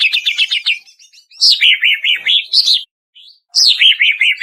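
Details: Greater green leafbird of the Banyuwangi type, in a training lure recording for caged birds: short bursts of rapid chirping trills around mid-high pitch, each phrase starting high and stepping down, separated by brief pauses.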